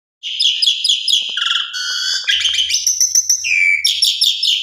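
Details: A black-collared starling sings a loud, varied lure song of harsh chattering notes, shrill whistles and a lower clear whistled phrase, almost without a break.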